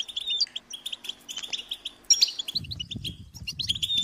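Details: European goldfinch young calling for food from their parents: sharp, high chirps and bright twitters in irregular clusters, followed by a low rumbling noise in the second half.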